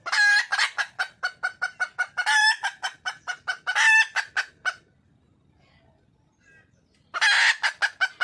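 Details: Hen of the wild red junglefowl calling to attract a male, a long, steady series of rapid, hard clucks punctuated by three harsh, stretched cackles, a brief silence, then another strident cackle.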